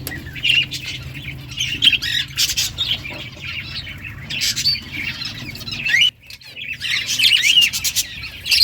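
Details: Budgerigars of an Australian budgie breeding colony in a home cage; continuous raspy chirps and squawks from many birds, briefly dropping out near the end before resuming.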